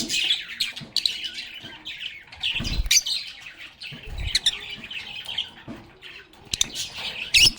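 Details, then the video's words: Chattering, playing lovebirds give high twittering and squawks in irregular bursts, with occasional low thumps and rustles, possibly wing movement, among the calls. "Lovebirds agapornis sounds | Relaxing Sounds of Singing, Playing, and Talking Parakeets"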